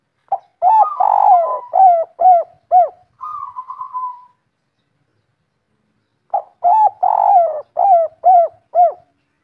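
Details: Spotted dove, local 'kuk 3' three-note style in Indonesia, calling vigorously: a rolling coo and short hooked notes, a flat quavering tone, a pause, then a second similar cooing phrase.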